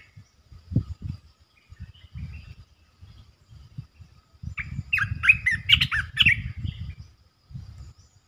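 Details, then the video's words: Red-eyed bulbul, a resident territory holder, calling: a burst of quick, chattering warbled notes midway through, preceded and followed by low, steady thumping noise. "เสียงนกกรงตาแดงEp.219 จ้าวหยกสายเรียก!! เจ้าถิ่นมารำ"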